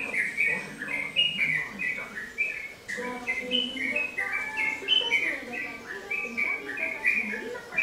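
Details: Yellow-vented bulbul, locally called trucukan or trotokan, singing vigorously: a bubbly, chattering stream of short whistled notes that jump up and down, with softer lower warbles underneath and a steady faint background hiss.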